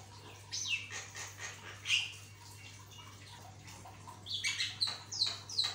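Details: Javan myna in active song, used as a tutor recording to get other mynas singing: scattered harsh, scratchy notes and high sliding whistles, ending in a run of sharp, clipped calls, over a steady low electrical hum.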